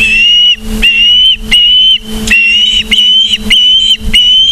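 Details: Close, loud series of steady whistled osprey calls, seven in a row about every half second, broken by breathy bursts of noise; nest camera at Charlo, Montana, 24 August 2023, 17:43.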